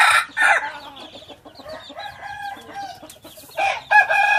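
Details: Crow of a hybrid red junglefowl rooster in two parts: loud opening syllables, then a stretch of softer clucking and chirping from other birds. The call returns as a strong harsh ending phrase.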